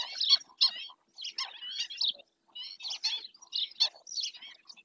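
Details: Black-winged stilt, Doñana National Park, Spain, nature camera recording: busy clusters of shrill, barking notes, a short silence midway, then another burst of overlapping yelps.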